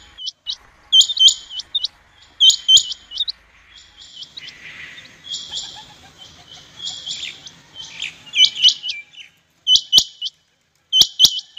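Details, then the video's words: Rain quail calls: bursts of high, sharp, paired notes that overlap densely and become irregular, with a soft rustling noise partway through and isolated clicks toward the end. "اسپیشل چنڑگا کی لاجواب آواز 2023/Rain quail ki awaz"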